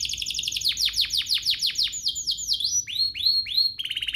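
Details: Domestic canary singing a lure song meant to set other canaries singing: rapid rows of high descending sweeps, then slower upward-curving whistles and a fast buzzy trill at the end.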